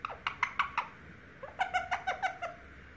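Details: Baby Indian ringneck parakeet kept as a pet, talking and answering a door knock with a word: two quick bursts of about five clipped, harmonic chirping syllables each, separated by a brief pause.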